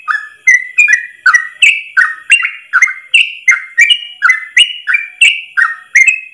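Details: Yellow-vented bulbul tutor song in ropel style: a rapid run of chirpy whistled syllables, roughly three per second, alternating higher and lower slurred notes without pause, clean and loud.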